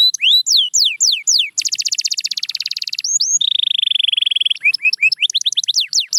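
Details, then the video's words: Canary song mixing slow looping whistled sweeps with a fast chattering trill, a sustained smooth rolling tour, then sharp rising and falling notes. "Watch Silent Canaries Start Singing Again – Magical Sound Inside!"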